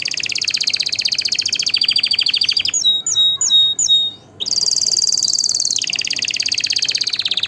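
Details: Singing canary used to rouse males and females to mate and to tutor chicks: a long rattling trill, a handful of spaced clear whistles, then a dense, ringing trill that continues to the end.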